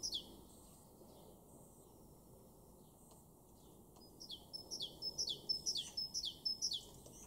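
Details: Garden recording from Weener, East Frisia, far northwest Germany, April 2023: quiet at first, then a Great Tit launches into about three seconds of sharp, high, evenly repeated two-note phrases.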